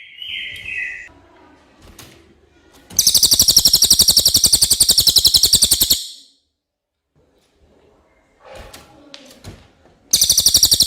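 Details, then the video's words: Common iora singing clearly, presented as tutor song for training songbirds: a short thin whistle at first, then a three-second rapid rattling trill of repeated high notes, silence with faint tapping, and another rattle starting at the end. "suara cililin jernih pas untuk masteran MB"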